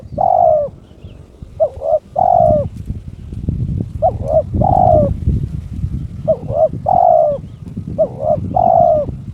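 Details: Kept terkukur (spotted dove) in breeding condition, calling to challenge an opponent. Repeated phrases of two quick coos and a drawn-out, descending coo, over steady low rumbling background noise.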